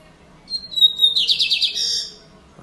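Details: A captive Double-collared seedeater sings a Lined seedeater–style phrase: a clear, high sustained whistle, then a quick buzzy run of rising notes ending in a few high chips. It is said to sing all day.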